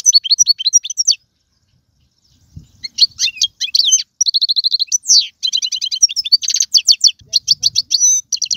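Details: Twittering 'bitbita' of a European goldfinch meant to make a kept goldfinch sing: a short chirpy phrase, a pause, then a long rapid run of chirps, buzzy trills and slurred whistles.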